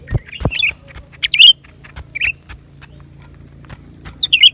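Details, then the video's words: Song of a lesser green leafbird, January 2023. Bright, sharp whistled notes and twisting slurs come in separated bursts, with a few low thumps at the start and a constant low drone underneath. "เสียงนกเขียวกลาง ปีกสีฟ้า suara cucak ranting"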